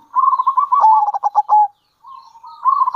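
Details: Local zebra dove calling with kerot and bekur sounds meant to lure wild zebra doves: a rippling coo that breaks into staccato pulses, a short pause, then a softer coo that builds again.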